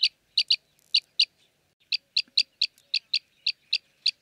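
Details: Arabian green bee-eater recorded in Jeddah, Makkah Region, Saudi Arabia: sharp, high chirruping notes given singly and in doublets, roughly three per second after a short pause, evenly spaced and clean against a quiet background.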